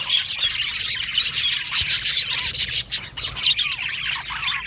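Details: Budgerigar colony in an aviary, loud bursts of chirping and squawking, short swooping whistles among the chatter, volume rising and dipping in waves.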